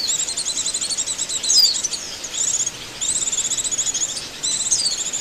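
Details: Oriental white-eye calls used as a trapping lure: very high, rapid buzzy trills in bursts, with a few sharp descending slurred whistles and short pauses between phrases.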